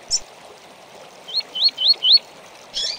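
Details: Double-collared seedeater giving "tui tui" song meant for tutoring birds: a sharp high chip, four evenly spaced slurred rising whistles, then a harsh buzzy note at the end, against a steady hissing background.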